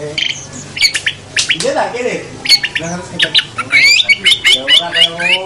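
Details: Long-tailed shrike in a master recording used to train other songbirds: harsh, scratchy squawks mixed with sharp whistled notes and slurred high phrases, delivered in quick uneven bursts with brief pauses.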